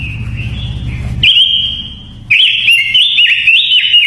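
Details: Luring song of a Japanese white-eye, intended to excite birds and train their voice: a thin high note over low rumbling, then loud, sweet, rapidly trilled warbling phrases that rise and fall.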